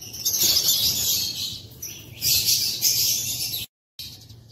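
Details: Morning in an aviary, April 8, 2024, with African lovebirds on their perches: dense, shrill, high chattering rising and falling in two long waves, then a brief gap before more chirps.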